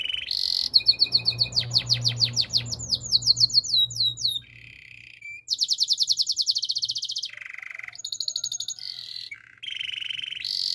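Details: Canary song for training, with rapid repeated trills and rolls in high registers, fast descending chirp series, buzzy sustained bursts and short whistled notes, alternating with brief pauses; a low hum sits underneath.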